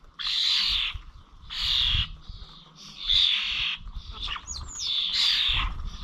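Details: At the Corby Old Village bird feeders on 21 November, starlings make rough, hissing squawks in uneven bursts, mixed with a few thin whistled and clicking notes near the end.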